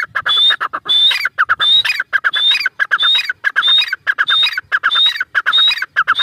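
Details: Teetar, the grey francolin, giving a loud, continuous series of harsh, grating phrases, each carrying a short sharp whistle overhead, repeated about once every half second throughout.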